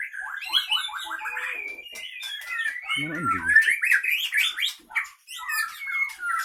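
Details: Caged white-rumped shama of the Leuser Pining line from Gayo Lues, Aceh, Indonesia, singing in fighting mode: a dense, sharp, varied flow of rapid whistled and chattering phrases with clicks, and a brief low rumbling noise midway.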